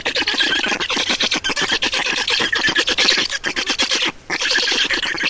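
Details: Black storks being fed at the nest in Estonia, 2019: harsh, buzzy squawking in rapid pulses, loud and steady, with one short lull near the end.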